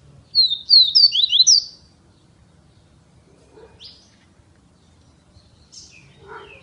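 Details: Double-collared seedeater kept by an owner in Feira de Santana, Brazil, opening with a quick series of sharp, high downslurred whistles, followed by a few scattered softer chirps and quiet gaps.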